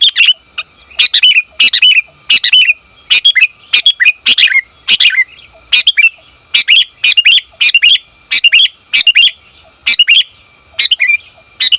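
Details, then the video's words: Sooty-headed bulbul female calling her mate. A lively, continuous series of bright, bubbly chirps, mostly paired with upward flicks, packed closely together throughout. "Suara Burung Kutilang Betina Memanggil Jantan"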